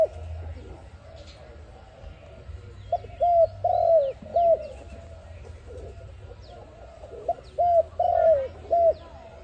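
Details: ARIMIX dove, a sound for trapping, giving two cooing phrases several seconds apart, each made of short clipped coos around one longer coo, amid faint chirps of small birds and a steady low hum.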